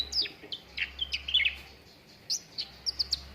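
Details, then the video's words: Cucak ranting singing, played to coax caged contest birds into active song: clustered high chirps and downward-slurred whistles early, a brief gap, then sharp separate chirps repeated quickly, over a low steady hum. "PANCINGAN CUCAK RANTING BAHAN AGAR CEPAT GACOR"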